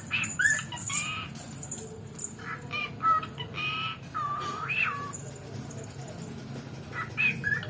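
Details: Pet talking cockatiel that copies words taught by its owner's mother, with clear whistled notes that rise and fall and a few harmonic chirps, against a steady low hum and some background noise.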